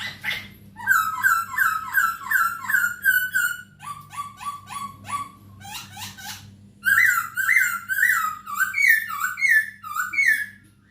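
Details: Tutoring recording of a Masked laughingthrush for captive birds: strings of rough, rich notes at varying pitch, followed by a strong run of repeated wavering whistled phrases. A steady low hum sits beneath.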